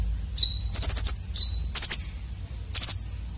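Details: Red-breasted Konin in a harsh, sharp fill-in song for training contest birds: a thin falling whistle followed by a rapid, rattling trill of five notes, the pattern repeated about once a second.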